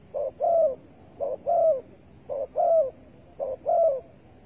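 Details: Spotted dove heard during bird trapping with bare bait, 15 August 2020: evenly repeated couplets of a brief coo and a longer slurred falling coo, four couplets at roughly one-second spacing.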